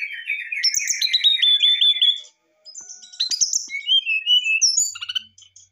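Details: Brown-chested jungle flycatcher singing excitedly to provoke a response, opening with a rapid chattering series of repeated notes, then after a pause a varied sequence of high, slurred whistles.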